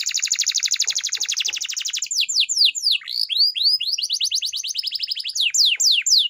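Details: Canary training song opening with a long dense buzzy trill, then falling whistled notes, rising slurs and another rapid rolling trill, all high-pitched.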